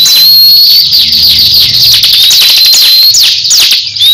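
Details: Caged crescent-chested babbler dueling with a rival bird, both showing off their songs: continuous high buzzy chatter with long thin whistles held steady across it, broken by brief gaps near the end.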